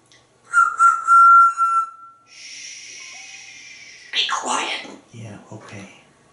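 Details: Pet parrot interacting with its owner: a loud, steady whistled note held for about a second, then a soft hissing stretch and short voice-like syllables, with the owner saying "be quiet" and listing words around it.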